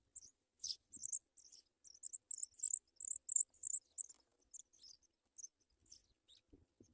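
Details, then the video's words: Sprague's pipit bringing food to young at the nest: a quick, uneven string of thin, squeaky high chirps, clustered densely through the middle seconds and then thinning out, with a soft low thump at the end. "Sprague's pipit Bird brings baby food"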